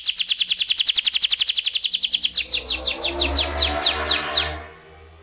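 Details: Canary singing a long fast rolling trill of bright notes, about ten per second, that gradually slows into wider downslurred sweeps before stopping, with a low hum underneath.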